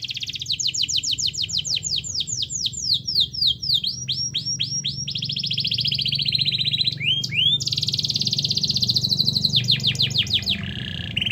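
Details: Canary song to encourage lazy canaries to sing: an extended sequence of rapid swooping notes, shifting into varied trills, a buzzy passage and quick repeated notes, over steady low background noise.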